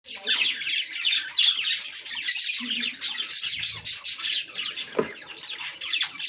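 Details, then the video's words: Lovebird fighting with a chick, producing loud dense harsh chattering and shrill squeaks in continuous overlapping bursts, with a brief low thump near the end. "My Love Bird fight with chick"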